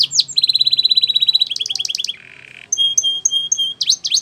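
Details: Belgian canary training song: a long fast even trill of short notes, a rolling section, a brief buzzy noise, then separated clear whistled notes and downward sweeps.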